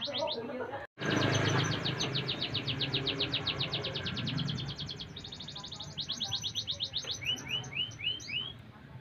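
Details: A canary from Pemalang, Indonesia, described as not clinging to the cage bars, sings fast, high trills of repeated notes that switch pattern every second or two, ending in bright rising upslurs over a low background rumble.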